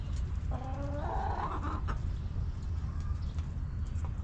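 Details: Backyard coop hen gives one rising, harmonic cluck lasting about a second, then a brief fainter note near three seconds; soft high chirps of small birds and a low steady rumble fill the background.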